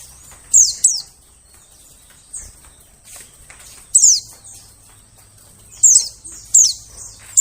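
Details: White-eye lure calls for attracting forest birds: sharp, piercing downward-sweeping notes in pairs and clusters, separated by quiet gaps of one to two seconds.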